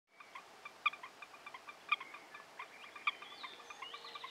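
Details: Lilac-crowned parrots by the Rio Cuixmala on 20 May 2018 give short harsh, squawking call notes, several stronger ones near one-second intervals amid a busy chatter of softer notes and a high whistled tone near the end.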